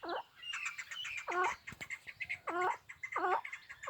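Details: Hybrid chukar partridge, a fighting bird, calling in a repeated rhythm: three strong, harsh, stacked chuk notes about one second apart, with softer chirps in between and a brief knock.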